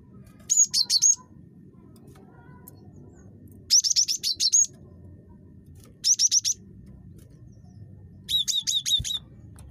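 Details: Highly vocal gelatik batu (cinereous tit) repeating rapid high, squeaky note series in four bursts, some with slurred whistles, each burst under a second, with a low-frequency hum beneath.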